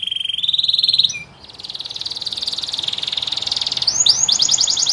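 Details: Canary song made of a steady whistled trill, a short pause, then a long buzzy rolling trill of fast repeated pulses, finishing with a few higher sweeping notes.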